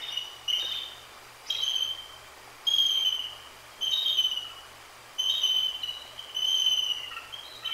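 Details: Bald eagle pair, a female and her mate, on a live nest cam on 1/2/24, calling after a Great Horned Owl struck the sleeping female on her perch. High, thin whistled calls with harmonics, repeated about every 1.2 seconds, over a low steady electrical hum.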